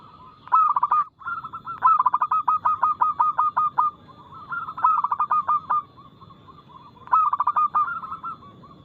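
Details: Local zebra dove, or perkutut, singing loudly and quickly with a clear tone, used as a lure to make other birds sing. Dense runs of punchy, evenly spaced coos repeat in phrases roughly every two to three seconds.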